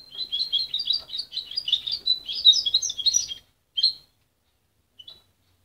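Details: A young goldfinch hybrid whose song is still tangled: about three seconds of continuous rapid, high-pitched twittering and warbling notes, then two isolated chirps after a pause; the bird was raised by its mother and separated at 23 days.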